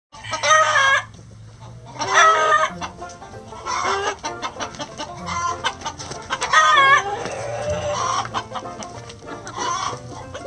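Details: Chickens in a coop at morning feeding time, giving a series of loud, nasal, harmonic squawking calls, each about a second long, repeated roughly every two seconds, with a low steady hum beneath.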